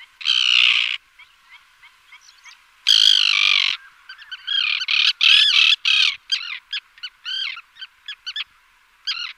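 Common Tern giving harsh, grating drawn-out calls, about a second long, broken by quicker runs of short, high chattering notes.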